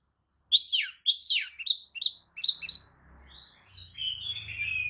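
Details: Kacer lure song of a tail-fanning Oriental magpie-robin, used to make rival magpie-robins reply: five or six loud, downslurred whistled phrases in quick succession, then softer warbling notes over faint low rumble.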